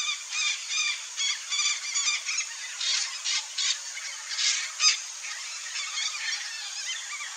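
Red-bellied macaws give harsh, grating screeches in quick, uneven bursts, about two or three a second. Several birds overlap in a noisy chorus.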